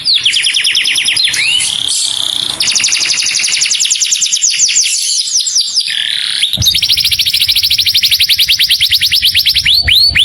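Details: Clear-voiced saffron finch calling to a companion: long stretches of very rapid high trills, broken by a short harsh rising note near six and a half seconds, then another fast trill and a pair of upswept whistles.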